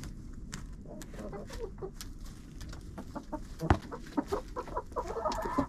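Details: Chickens inside a coop, recorded on a GoPro placed among them: soft scattered clucks and short murmurs over steady scratching, pecking and rustling, with a few brighter clucks near the end.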